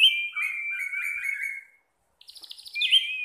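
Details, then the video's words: Caged orange-headed thrush delivers a sustained wavering whistle sliding gently downward, then after a short silence a fast buzzy chatter ending in a rising clear note. "Burung Punglor / Anis Merah teler nyantuy mawon masehhh"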